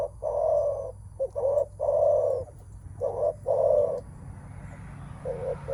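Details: Spotted dove cooing in the 'menguku' style used when meeting a rival, chiefly by males; rounded low coos in clusters of two or three, a pause, then more notes, with faint rumble beneath.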